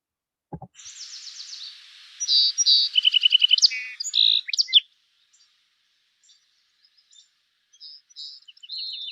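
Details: Song Sparrow song in Montana, often sung from high in a willow near water in riparian areas: shrill, bright introductory notes, then a fast buzzy trill and a jumble of irregular chirps, high-pitched, about four seconds.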